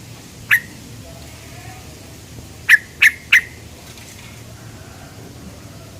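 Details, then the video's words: Yellow-vented bulbul 'cuk cuk' lure sound: one isolated sharp note, then a quick group of three, then another single note, all clipped and falling, against faint background noise. "Pancingan burung trucukan cuk cuk"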